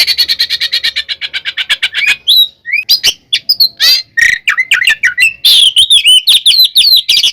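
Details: Oriental magpie-robin 'tarung' fighting song, a lure for other magpie-robins: opens with a quick rattle of over twenty evenly spaced buzzy pulses, then breaks into varied sharp whistles, scratchy notes and twisting high phrases.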